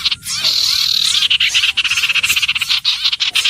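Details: Common iora song: a long, thin whistle sliding slowly downward, set against dense, busy chattering and buzzing from other callers throughout.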